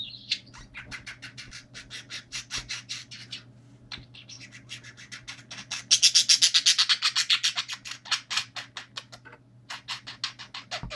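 A budgerigar chatters in rapid, scratchy bursts of high chirps, with a low steady hum behind.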